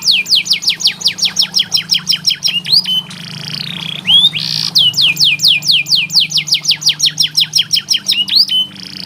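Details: Canary tutor song played as therapy for canaries that are reluctant to sing: fast bursts of steep whistled downslurs repeated in rolling tours, a brief buzzy harsher phrase near the middle, then more rapid slurred trills over a steady low hum.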